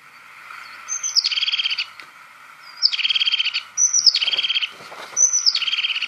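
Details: European Crested Tit (Lophophanes cristatus) calls four times, about every one and a half seconds, a thin high note running into a fast, purring, buzzy trill, over a faint steady hiss.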